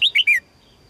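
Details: A female red-whiskered bulbul gives a brisk three-note call to attract a strong male, bubbly and whistled, stepping downward, then silence apart from a faint steady high tone.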